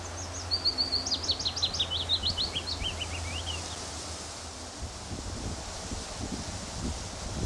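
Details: Male willow warbler singing on his territory at a reserve trail in Sandy, Bedfordshire, England, June, on a very windy day: a sweet descending cascade of quick whistled notes lasting about four seconds, then strong wind rumble and rustling.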